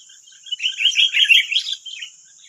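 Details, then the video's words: Wild sooty-headed bulbuls answering a decoy bird: a busy two-second burst of overlapping chirpy, warbled notes, with a steady high insect-like hiss throughout. "9 Burung Liar Lawan 1 Pikat"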